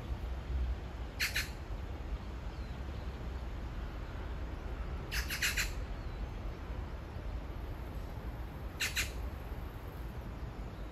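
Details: Magpie calling to its mate a few meters away, described as a love serenade; three short harsh, rasping chattering bursts spaced about four seconds apart over a steady low rumble of background noise.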